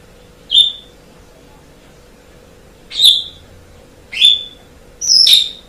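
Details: Asian pied starling, from a long training recording for songbird hobbyists: four separate sharp whistled notes at uneven gaps of one to three seconds, the last a rougher doubled phrase, over a quiet steady hum.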